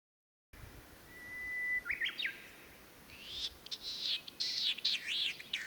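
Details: Latham's snipe at the Senjogahara wetland, Oku-Nikko, Japan, recorded 9 May 2020 in spring on its breeding grounds, hidden in the marsh: a thin level whistle, then rising slurred notes, then a run of harsh, arched, rasping phrases.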